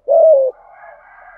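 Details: Spotted dove, 'thúc gù' call in 'giọng thổ' voice: a single half-second coo, level then slightly falling, trailing into faint lower hum.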